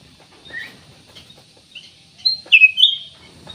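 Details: Kutilang emas or black-naped oriole in vigorous song used to prompt other birds to sing: a few soft whistles, then a loud, rich whistled phrase with sliding notes in the second half.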